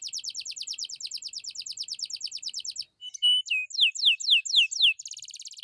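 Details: Atlantic canary singing vigorously in a recording meant to lure silent birds into song and tutor them: a fast, even trill of high notes for almost three seconds, a brief pause, then slower downslurred whistles and a buzzy high rattle.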